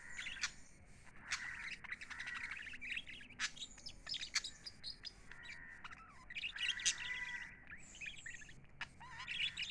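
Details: Chattering pet lovebirds give a long run of high chirps, short whistled slurs and sharp squeaks, uneven in rhythm and fairly soft overall.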